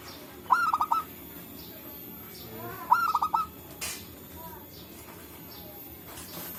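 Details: Zebra doves of the local type calling to each other in forest, a lure for trapping: two stuttered cooing phrases about two and a half seconds apart, plus scattered thin chirps from other birds and a click.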